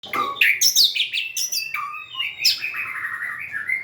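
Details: White-rumped shama singing while dancing and wagging its tail: a rapid run of varied clear whistles and chirps sliding between high and mid pitch, a bright upward note near the middle, then a lower warbling phrase.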